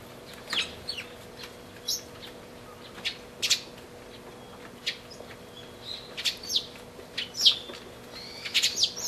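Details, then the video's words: A pair of sparrows together, recorded on 20 March 2012: scattered short high chirps and tweets come irregularly through about nine seconds, some loud and some faint, over a low steady background hum. "雀のつがい（仲良し） A pair of sparrows"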